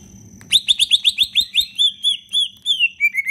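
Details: Green leafbird, a captive songbird prized for its melodious whistling, delivering a quick run of loud, evenly spaced sharp notes that slow and slur into downward-curving whistles, finishing with short lower notes, above a faint background hum.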